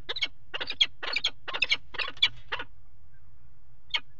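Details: Burst of rough, grating peregrine falcon calls at a water-tower nest box ledge during mating, February 2018: a quick cluster of notes for two and a half seconds, a pause, then one last short call.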